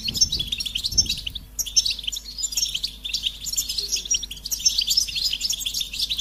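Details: A goldfinch sings a dense, twittering warble of rapid high notes and buzzy trills, broken by brief gaps, with a couple of soft low thumps near the start.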